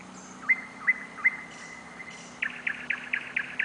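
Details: Wild nightingale in Novosibirsk city on a July night, caught on camera: three spaced, upward-flicking whistles, a short pause, then a quicker run of dry, clipped notes.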